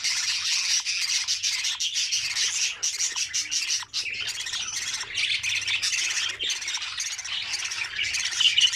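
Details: Budgerigar chicks in the nest, feeding one another as it is opened, give a dense run of raspy, squawking begging calls with a short lull midway.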